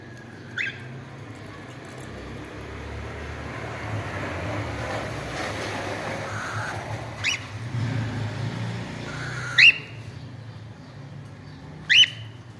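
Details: Cockatiel (Nymphicus hollandicus), a family with new chicks; sharp, rising chirps spaced several seconds apart over steady traffic hum.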